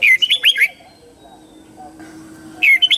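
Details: Morning song of a red-whiskered bulbul, played to train young white-cheeked birds: a rapid bubbling phrase of slurred whistled notes, about two seconds of near silence, then a new phrase starting.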